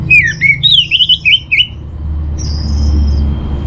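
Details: Orange-headed thrush singing a master song meant to steady a home-kept bird's emotions. It gives rapid, loud, wavering whistled phrases for under two seconds, followed by a thin high whistle and low rumbling noise.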